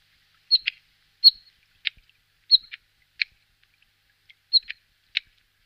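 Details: Bluethroat, found in shrubby thickets near water, giving sparse, sharp clicking and tacking notes in small pairs and singles, spaced about a second apart against silence.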